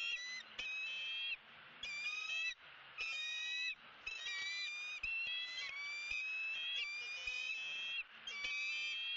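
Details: Female bald eagle on a Southwest Florida camera-watched nest, February 2017, greeting the male arriving with a headless fish: near-continuous shrill, piping, stacked chatter in rapid back-to-back bursts, each slightly rising, over faint wind noise.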